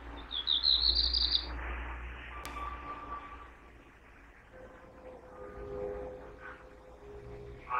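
A Black Redstart gives a quick burst of about ten thin, high notes in just over a second, followed by quiet background with a faint low hum.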